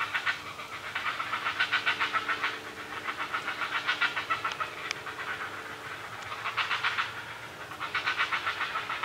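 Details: Begging chatter from great blue heron nestlings while being fed by their mother: bursts of rapid, rasping ticking pulses that swell, pause briefly and resume, with a faint low hum behind.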